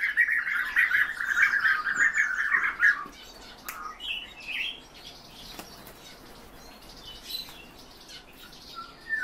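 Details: Captive European bee-eaters give a loud, continuous run of rolling, burry trills for about three seconds. Scattered shorter trilled notes and soft higher chirps follow, with a few faint clicks.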